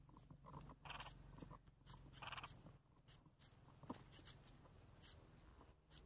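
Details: Red-whiskered bulbul chicks being fed by their mother: thin, high squeaky notes repeated in short bursts, with a few soft raspy buzzes between them.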